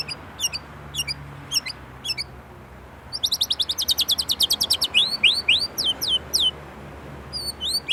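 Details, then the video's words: White-rumped shama from Indonesia, a kept songbird, singing rich varied phrases: rapid series of high sharp notes, a fast trill of repeated strokes, then swooping rising-falling whistles repeated several times. "Murai Gacor isian Gurih"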